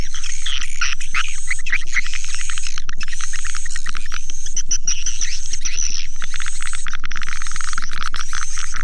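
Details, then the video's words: Attracting swiftlets with a lure call: continuous rattling twitters and thin high whistled notes, interrupted by brief gaps, over an unbroken, regular low electronic thump about four beats per second. "Suara panggil burung walet"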